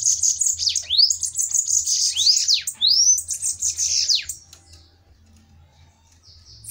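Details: In a bananaquit fight duel, quick rising whistled sweeps repeat almost every second inside high sizzling chatter, then fade to quiet near the end.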